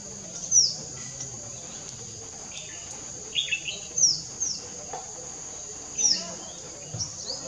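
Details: Crimson-backed sunbird (Leptocoma minima), Periyar National Park, Kerala, India, December 2022, giving thin, very high descending tseep notes, one every second or two, over a steady high insect hum.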